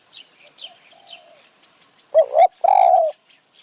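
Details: Spotted dove cooing from a tree in high mountain forest during decoy luring; a few soft low coos, then loud mellow two-part and drawn-out coos, with faint high chirps of other birds.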